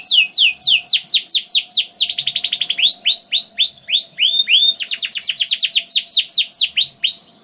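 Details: Canary song used to prompt other canaries into song: steady series of loud down-slurred notes repeated several per second, with fast buzzy trill bursts in between, a faint steady hum underneath.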